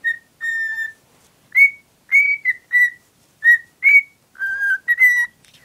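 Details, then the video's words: Pet cockatiel whistling at a beloved cuddly toy: a long level whistle, then spaced short notes, some rising, ending with a lower held whistle and quick final notes. "Valkparkiet Lola fluit deel 2"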